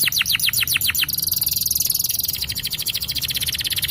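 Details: Champion yellow canary in long song: a short run of sharp falling notes followed by a very rapid, even, buzzy trill held high for several seconds.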